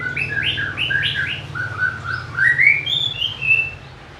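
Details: Song of a white-rumped shama, a species prized by bird lovers for its sweet, varied voice and mimicry: a rich stream of rising whistles and warbled notes, followed by a bright upward slide and two high clear whistles.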